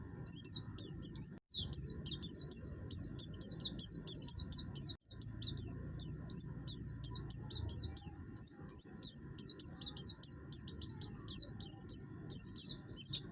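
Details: Oriental white-eye, buxtoni form, harsh song used to coax other birds into singing: an almost unbroken chatter of fast, high, sliding squeaky notes, with low background rumble.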